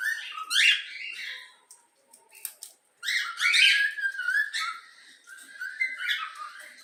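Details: Pet yellow-cheek cockatiel trained on the Flamengo anthem gives rough, buzzy chirps and blurred whistles in two bursts separated by a near-silent pause with faint clicks.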